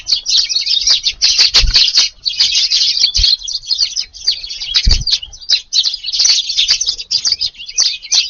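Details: Eurasian tree sparrows at early-morning garden feeding, about 5:30 on a rainy 2 August morning: continuous dense chorus of overlapping high chirps and tweets with brief low thuds.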